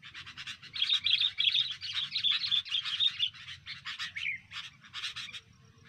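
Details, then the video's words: Sooty-headed bulbul during pikat cengkeram bird trapping: loud, continuous stream of rapid, scratchy high chirps and twitters, a brief dip in pitch midway, then sparser chirps that fade toward the end. "takluk nya kutilang perusak pikat cengkeram"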